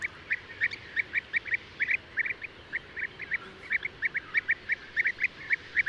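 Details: European bee-eater (Merops apiaster) uttering rolling, purring notes in pairs and singles, roughly three per second, evenly paced with a faint hiss behind.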